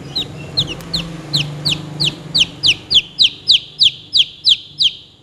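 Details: Chicken chicks give a steady series of sharp, high peeps that drop in pitch, about three per second, growing louder and more regular toward the end over a faint low hum.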